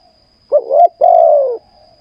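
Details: Spotted dove used for ground decoy trapping in Thailand gives one phrase: a short wavering coo, then a longer smooth croo that fades downward, with near silence around it.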